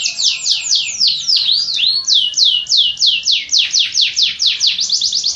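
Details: Canary song, from a set of various canary kinds: loud, bright, down-slurred whistles repeated in a steady series, with a brief rising note midway and a faster tight trill closing the phrase.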